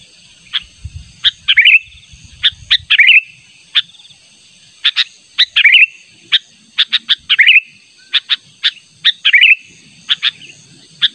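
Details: Sooty-headed bulbul persistently calling out to a rival, used for luring: irregular sharp chip notes and repeated short bubbling, liquid phrases every second or two, with faint low rumbling at times.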